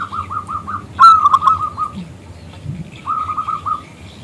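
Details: Local zebra dove calling to prompt a male to sing: runs of short, soft, evenly spaced coo notes, a brief louder rolling whistled phrase in the middle, then another quick series of coos over low background rumble.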